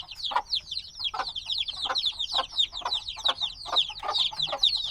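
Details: Black chicks only days old, still wanting their mother's warmth, call loudly together: a thick chorus of sharp falling peeps with regular lower knocking sounds roughly every half second.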